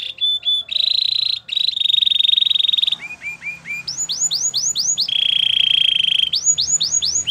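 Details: White canary performing a training song: steady buzzy trills, a few short falling whistles, arched whistled notes in series, and another rolling trill.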